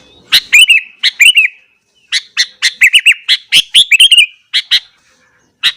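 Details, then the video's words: Morning song of a sooty-headed bulbul, sung to provoke other bulbuls: loud, liquid warbling phrases of quick wavering whistles, delivered in bursts with short gaps, ending after a pause with one more note. "burung kutilang gacor kesetanan yakin bikin tilang lain langsung naik emosi"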